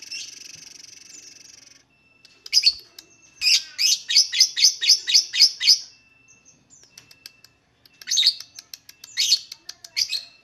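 Lovebird singing in rapid bursts of shrill, high chattering chirps, about four per second, opening with a buzzy hiss and broken by short pauses.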